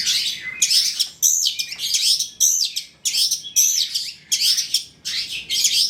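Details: Long-tailed shrike singing fully to lure other shrikes: loud scratchy phrases with a thin high whistle inside, each starting abruptly and fading, repeated about once a second.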